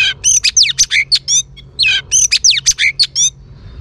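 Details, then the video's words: Female Oriental magpie-robin song meant to stimulate males: two rapid phrases of varied, loud chirps, quick downslurred whistles and buzzy notes, each phrase lasting about 1.5 seconds with a short break between. "Choè than mái kích trống hay nhất"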